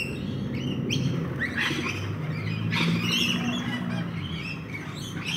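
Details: Backyard feeding rainbow lorikeets produce rapid, ragged squawks and chittering notes in quick irregular succession, partly blurred by a loud low-frequency rumble and droning background noise.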